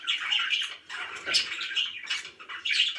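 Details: Happy pet budgies give bursts of squeaky, warbling chirps separated by short lulls, with faint low background noises.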